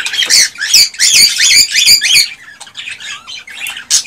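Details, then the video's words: Cockatiels vocalizing to stimulate mating and breeding: a dense run of harsh, scratchy squawks and chirps with some rising whistled notes, fading to softer chatter before a final loud note. "تغريد طيور الكوكتيل ( الكروان ) لتحفيزها على التزاوج والانتاج"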